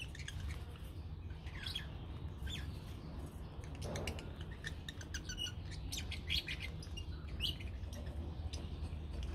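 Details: Lovebirds in a colony chirp and squawk, with many overlapping sharp, high calls coming in quick clusters over a heavy, continuous low rumble.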